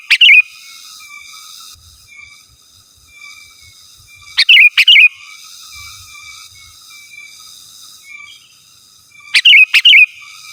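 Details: Three loud bursts of sooty-headed bulbul song, used to call rivals and lure wild birds, each a cluster of sharp chirps and a brief warble spaced about four to five seconds apart.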